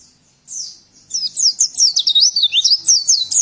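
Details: Oriental white-eye song for tutoring other birds: a brief high note, a pause, then a fast, busy stream of thin, high-pitched chirps and twittering phrases delivered almost continuously.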